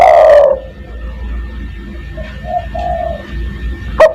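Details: Spotted dove calling to summon other doves, 'kuk 1' style: one loud, low coo opens, fading into soft, short cooing notes, then a sharp click near the end, over a constant low hum.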